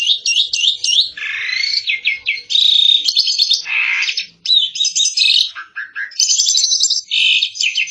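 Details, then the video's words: Asian pied starling (jalak suren) from Indonesia, sung in 2022 as a gacor masteran, a vigorous tutor recording: a dense, nonstop run of varied notes, with clear rising whistles, fast buzzy trills and harsh chattering bursts that switch pitch every second or so. "Kicau burung jalak suren |Burung kicau jalak suren masteran|jalak uren gacor 2022"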